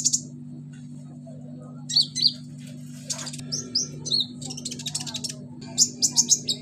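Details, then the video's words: Bulbul (konin) singing a varied song stuffed with imitations of the cililin, crickets, golden grasshoppers and chicks: sharp high chirps and short buzzy bursts in scattered clusters, over a steady low electrical hum. "KONIN BANYAK ISIAN CILILIN, JANGKRIK, BELALANG EMAS, ANAK AYAM"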